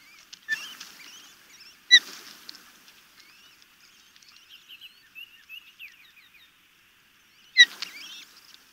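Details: Osprey chicks begging during a good feeding at a nest near the Chesapeake Bay in Maryland, 26 May 2018; sharp high squeaks and thin chirping notes, with loud bursts near the start and end and quieter twittering between.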